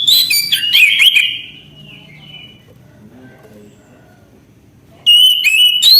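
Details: Orange-headed thrush in nonstop 'gacor' song: a burst of clear whistled phrases, bright and slurred, then a quiet pause of nearly four seconds before another loud run of sweet, rising whistles.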